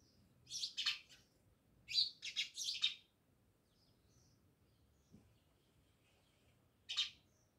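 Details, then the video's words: Many house sparrows around a village house in Jamnagar: a pair of sharp chirps, then a rapid run of three or four, a long quiet gap, and one last chirp near the end. "Natural Sound Of Sparrows | House sparrows Chirping"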